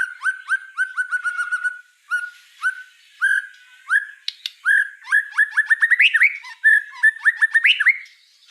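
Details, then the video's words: White-rumped shama singing vigorously, a varied run of clear whistled notes, several quick repeated slurs, then a rich jumble of rising and falling phrases with sharp high accents, brief pauses between bursts. "Suara kicau burung murai batu gacor"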